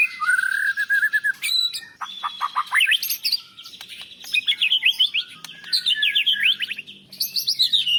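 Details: Champion white-rumped shama song, with imitated canary, lovebird and cilalilin phrases, meant as master audio for training other birds: a low whistled note, then rapid falling trills and a dense run of varied high chirps and sweeps.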